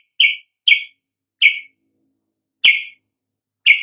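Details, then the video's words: Yellow-vented bulbul, used as a lure to draw out other birds' song: sharp, scratchy chirps spaced irregularly, five notes with gaps of up to a second, one sharper click-like note, on a silent background. "coba Pancing dengan kicau TRUCUK ini agar NGEPLONG"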